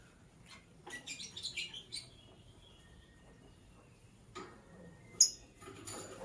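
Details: Lovebird chirping in the morning: a quick run of sharp, high, scratchy chirps in the first two seconds, a quiet gap, then louder shrill bursts near the end.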